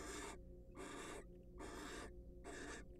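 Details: Barn owls, wild, preening and courting at a nest box; four long, loud breathy rasps of around half a second each, following closely one after another, over a low hum.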